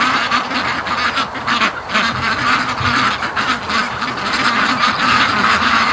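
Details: Domestic ducks crowding home after a day swimming on the lake, probably hungry; a dense run of coarse quacks, about two per second, overlapping from many birds, with splashing underneath.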